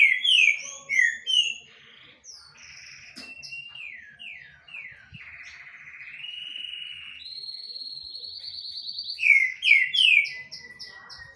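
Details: Rufous-bellied thrush pouring out a varied song of loud downslurred whistles, sustained warbling passages and steady high tones, ending in a cluster of sharp whistled notes.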